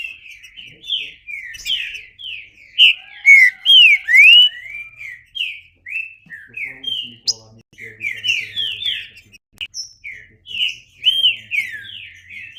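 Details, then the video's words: Green-winged saltator delivering a long, busy song of rapid slurred whistles, each note sweeping downward, in quick repeated runs; faint low hum in the background. "Trinca Ferro (cantando)"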